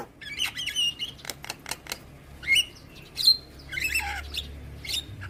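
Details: Javan myna song from a training recording for young birds, meant to be played every morning: harsh squawks and scratchy notes mixed with short whistled slurs, loud bursts at irregular intervals, with a low background hum.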